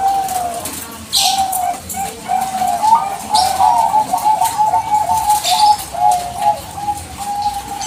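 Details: Zebra dove of the Bangkok type singing continuously as a provoking lure: sustained strings of low, soft coos with small wavering trills, forming an unbroken phrase over several seconds, with faint knocks and hiss.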